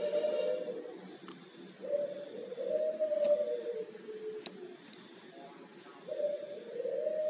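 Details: Local Majapahit udan mas zebra dove (perkutut), golden-yellow bodied and red-eyed, giving soft, low, mellow cooing phrases in three bursts, each a smooth slightly wavering note, over a faint steady hiss.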